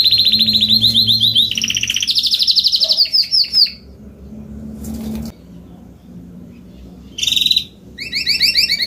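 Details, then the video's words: Spanish Timbrado canary, adult, singing fast rolling trills that rise in pitch then stop; after a quiet gap with faint background noise, brief rolling phrases and a two-toned trill resume. "CANTO CANÁRIO SALSA ESPANHOL/ESPANHOLINHA"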